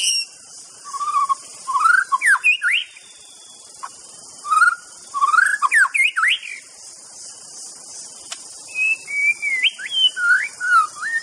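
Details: White-rumped shama singing: bursts of clear, varied whistled notes, rising slurs and quick upsweeps, delivered in three phrases separated by pauses, over a steady high-pitched hiss in the background.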